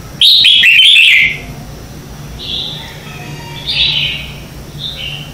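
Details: Red-whiskered bulbul singing at dawn in competitive style, used as a lure for training. An opening loud, warbling whistled phrase of about one second is followed by three quieter short whistled phrases spaced over several seconds.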